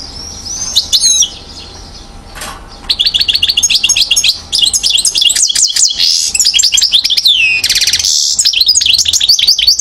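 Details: European goldfinch aged one year, Mouzaia, Algeria, 2012: a few high notes, then a long unbroken stream of fast tinkling twitters, buzzy trills and slurred whistles.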